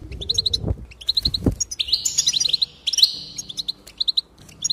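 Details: Goldfinch singing, its song played to stimulate other goldfinches to sing: rapid bright twittering at high pitch, quick repeated chirps mixed with buzzy trills and sweet rising notes, with low thumps and faint background rumble.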